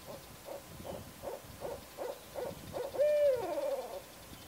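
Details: Barred owl calling: a series of seven to eight short, even hoots about every 0.4 seconds, ending in a louder, drawn-out hoot that slides downward.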